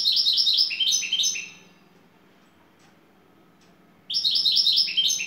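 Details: Lead European goldfinch from Turkey, şakşaklı song style: a lively stream of fast, buzzy, repeated high notes, a pause of about two and a half seconds, then another energetic burst.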